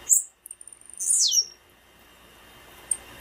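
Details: A female blue-black grassquit gives a call meant to excite males and stimulate their singing: a rapid train of faint ticks, then a loud buzzy note sliding sharply downward, followed by one thin high chip.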